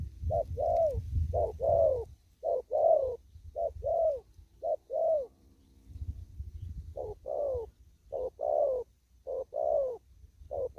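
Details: Spotted dove, a bird still out in the fields, giving deep mellow coos in short two-part phrases, repeated steadily with a brief pause midway, over low rumbling background noise.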